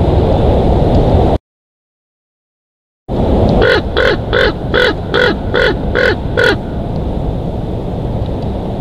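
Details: Bald eagle at a nest in Big Bear Valley, evening; a series of about eight sharp, even chattering notes roughly every third of a second, over a strong steady roar of wind, with a brief silent gap early on.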